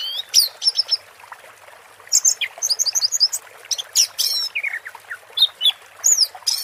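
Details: Orange-headed thrush singing a teler-style song over soft running water from water therapy: scattered sharp notes, then a quick series of bubbly chirps and falling whistled slurs.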